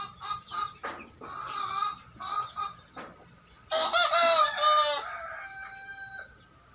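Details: Young free-range native roosters, three males aged 60 days, crowing for the first time on a small home farm in Parapat; short, rough, wavering crows with clucking and chirps between them, the loudest crow near the end.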